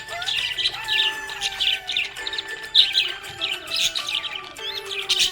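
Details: Contented budgerigar chatter made of rapid, scratchy chirps in short bursts, heard over background music with sustained tones.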